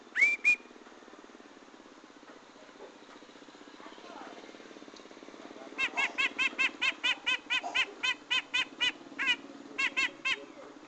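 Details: Grey-cheeked bulbul song used as a lure for trapping wild birds. A bright upslurred whistle opens over a steady low hum. After a quiet stretch comes a rapid run of about fifteen short, rich, chevron-shaped notes, roughly four per second, with brief pauses.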